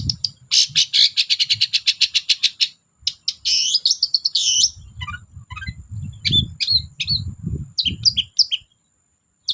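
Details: Long-tailed shrike (cendet) lure song for quiet birds: a long fast series of loud repeated harsh notes, a drawn rasping phrase, then scattered squeaky chirps over low background rumble and a faint steady high tone.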